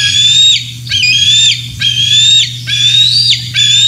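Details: Bald eagle at the Decorah North site on the morning of 27 June 2024, while adults bring fish to the others: five shrill, whistled squeals, each rising slightly then dropping sharply at the end, about one per second, over a steady low hum.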